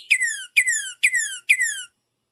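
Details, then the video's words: A male Northern Cardinal gives its classic spring territorial song, four clear, loud whistled notes, each sliding sharply downward, about two per second, like 'cheer cheer cheer cheer'. "So, uh let's try the classic northern cardinal song."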